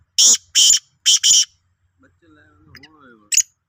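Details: Black francolin (Sindhi kala teetar), recorded 16/03/2023: three loud, harsh, rasping broadband notes in quick succession, followed by a faint, low human voice and one last short grating note.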